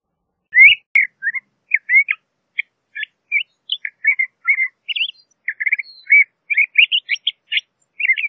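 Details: LeConte's thrasher singing a steady string of short, varied chirped and slurred phrases, each brief and separated by small gaps, mid to high pitched, against a silent background.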